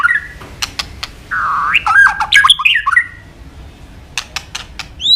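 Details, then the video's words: White-rumped shama (murai batu) in steady song: a few clicks, then a harsh, squawky wavering phrase mixed with tangled whistles, followed by more sharp ticks and a closing rising note. "Murai batu gacor isian super lengkap"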